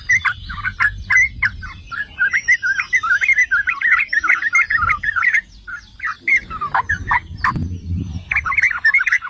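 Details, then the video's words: Long, lively babble of the yellow-vented bulbul, or trucukan, with dense gurgling notes, a brief break after six seconds, then it resumes. The song serves to trigger other bulbuls into singing. "Trucukan jenis APAPUN dijamin NGAMUK || Pancingan dan Masteran Trucukan"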